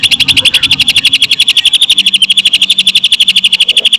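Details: Rapid lovebird-imitation song from a Greater green leafbird, a continuous pulsing trill of piercing high notes at a fast, regular beat, with faint low hum.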